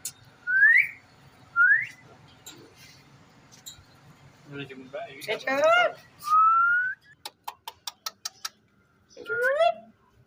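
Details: Pet ringneck parrot vocalizing indoors: two clear rising whistles, then a burst of harmonic chatter, a long bright whistle, a run of sharp clicks and a final rising whistled note, over a low steady hum.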